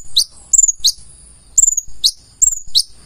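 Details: Konin, the purple-throated sunbird, singing full isian: a handful of bright, high chips, each sliding downward, spaced about half a second apart, a few doubled.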